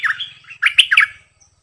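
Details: Bulbul kept as a decoy, singing: a brisk cluster of rich, rolling whistled notes, bubbly and slurred, with a faint low hum in the background.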